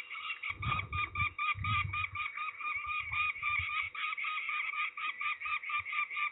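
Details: Peregrine falcon being ringed at Trzebież, Poland, 13 May 2019: a steady run of harsh, grating kak notes, roughly two per second, with a broad ringing tone. Muffled low thumps and rustling of handling sound beneath.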